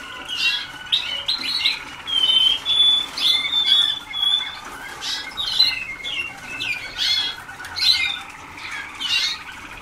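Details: Young Waterslager canaries in their first days of song training: a busy mix of short chirps, sweeping twitters and a long steady whistled note midway, repeated in irregular phrases indoors.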